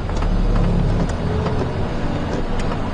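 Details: A steady, low vehicle engine rumble fills the recording on a sunrise safari drive, with no animal voice heard.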